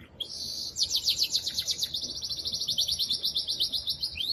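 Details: Excited male canary singing strongly to stimulate a female to mate and for young birds to hear: a sustained high rolling trill with rapid pulsing notes that shifts pitch slightly and runs almost unbroken.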